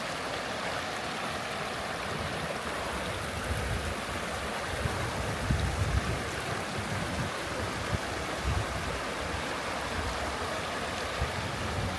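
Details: Steady rushing of a stream or running water fills the whole recording, with no animal calls standing out.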